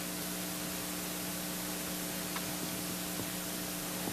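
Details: Steady hiss and electrical hum with a few faint clicks, and no animal sound present.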